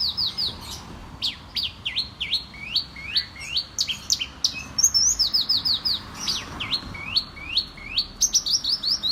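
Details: Horsfield's bush lark with champion tuning, a mimic of prenjak, ciblek and sparrow voices, repeats quick rising slurred chirps in rapid runs, broken by sharp upward notes and short pauses.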